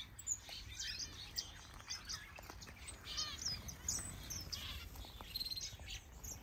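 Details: Various breeding aviary birds, including canaries, goldfinches, Gouldian finches and Java sparrows, in a large planted aviary in Denmark; rapid bright chirps and short trilled notes overlap densely, some quick buzzy bursts, with faint background hum.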